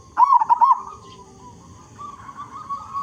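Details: A local zebra dove singing vigorously in a big voice, meant to prompt other zebra doves to sing. One quick, warbling, rolled coo phrase opens the clip, then soft drawn-out coo notes trail off.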